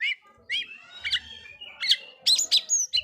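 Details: Oriental magpie-robin provoking song: clear slurred whistles, some rising and some falling, followed by a cluster of sharp high chirps and a long thin whistle.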